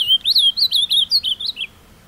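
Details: Captive ultramarine grosbeak, carried by its keeper to a scenic outdoor spot to sing, delivers a carapuça-style phrase: about nine quick slurred whistled notes with rising and falling inflections, tumbling slightly lower toward the end, then quiet background.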